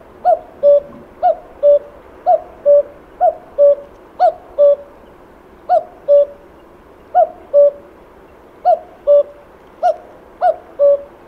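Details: Cuckoo calling in spring, summer presence only: steady series of hollow two-note cu-coo phrases, first note higher and shorter, second lower and held, repeated roughly each second, about nine phrases with faint background hiss.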